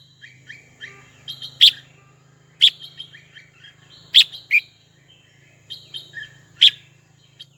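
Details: Red-whiskered bulbul calling a rival: repeated phrases of soft twittering notes, each capped by one loud, sharp chirp roughly every one to two seconds, over a low steady hum.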